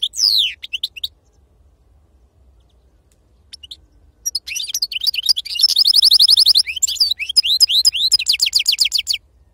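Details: European goldfinch described as wild-caught and singing the serfati style: a few sliding twitters, a pause, then an extended run of buzzy trills and rapidly repeated downslurred notes.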